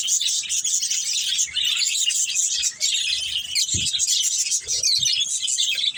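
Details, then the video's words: Budgerigars kept as a playing family group give a steady stream of high twittering chirps and chatter, with brief soft low thumps and a few lower squeaky notes beneath the bright flock warble. "Beautiful Budgies Chirping Sounds"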